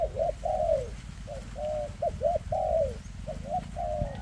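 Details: Dense 'kèm rước' cooing from a spotted dove with a leg problem: a quick series of short arched notes alternating with longer mellow coos that fall at the end, over steady low background rumble.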